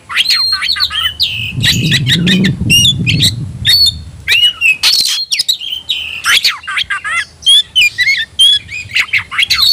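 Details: Oriental magpie-robin worked up to fight, fluffing out in display, gives a rapid medley of whistled slurs and sharp squawky notes, while a low rumbling noise sounds early in the clip.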